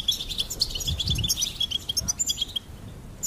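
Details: Goldfinch singing a dense, rapid stream of high tinkling twitters and short buzzy notes, nearly continuous, with faint low rumbles underneath.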